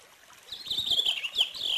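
A purple finch sings a quick, rich warble of high, tumbling notes that waver up and down for just over a second, with faint low thumps beneath.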